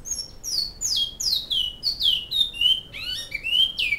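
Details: Singing bicudo (great-billed seed finch) from Canoas, flauta song type: loud descending fluty whistles in quick succession, closing with a pair of rising slurred notes, almost no other sound.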